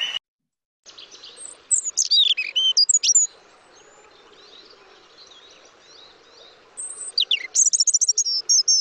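European robin song: thin, high, tumbling phrases of sweet whistles and fast trills, broken by short pauses, with faint background hiss.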